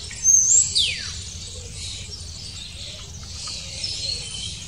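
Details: Long-tailed tit parents feeding chicks that are about to fledge give thin, very high calls, one quick sweep dropping sharply in pitch, then faint high chatter over a soft background hiss.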